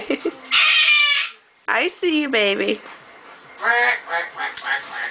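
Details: Pet male Goffin's cockatoo giving a harsh, buzzy, duck-like honk lasting almost a second, followed by shorter nasal calls and human voices talking nearby indoors.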